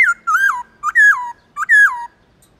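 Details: Black-throated laughingthrush singing four rich whistled notes, each sliding downward after a brief rise, delivered in a steady measured rhythm. Played to revive a pet laughingthrush's eagerness to sing.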